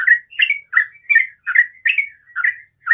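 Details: Sooty-headed bulbul in the morning, ropel song style: loud, rapid, slurred chirping notes, each rising and falling, delivered about three per second without pause.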